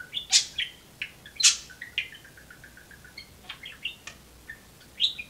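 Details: Indoor pet budgerigar known for talking, sharing cages and perches with another budgie, gives a few loud piercing chirps, then a soft rapid series of warbled notes, and ends with a bright high chirp.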